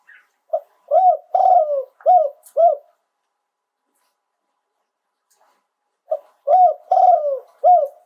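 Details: Spotted dove (nok khao yai) singing live in a Thai bird-keepers' style. Two bursts of five deep, hooked coos, the middle coo drawn out, separated by a few seconds of silence.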